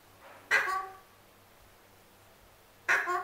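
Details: Pet male Alexandrine parakeet begging for his apple: two short, harsh, loud squawks about two seconds apart, each with a bright rasping edge that fades quickly, against a quiet indoor background.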